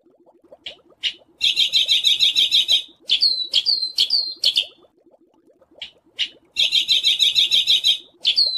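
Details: Masteran of a bird's harsh 'besetan' phrases, meant to teach songbirds rough variations: isolated scratchy chips, two dense buzzing rattles and several quick downslurred whistled notes, separated by short pauses with soft background ticking.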